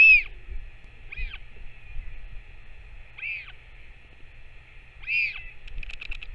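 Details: A Northern royal albatross parent feeds its chick on 21 May 2024. Four high arched whining calls come about one to two seconds apart, followed by a brief burst of quick chattering notes, over a steady electrical hum.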